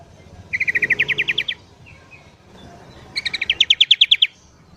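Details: Morning song of a sooty-headed bulbul, played to lure wild birds: two bursts of rapid, evenly spaced chips, each rising slightly in pitch over about a second, separated by a quiet pause.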